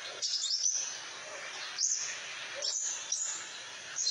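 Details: Crimson sunbird singing energetically as a master bird for tutoring: bursts of very high, thin sweeping notes and twitters recur roughly every second, with a softer lower chirp between bursts.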